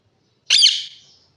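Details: Parrot giving a single loud, harsh squawk that bursts in abruptly, then trails off into a thinner, fading whine over about half a second; no other sounds around it.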